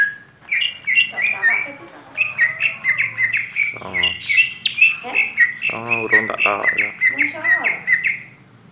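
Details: Oriental magpie-robin (kacer) singing energetically, a fast run of whistled, chattering notes near the upper-middle range, phrases rising and dropping with a few harsh buzzy bursts; lower voice-like sounds run faintly underneath.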